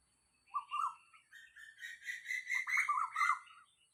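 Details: Asian koel near a house at dawn, 06:40 on 4 October 2022, giving a quick series of slurred notes that climb in pitch and speed into an excited, bubbling run lasting about three seconds.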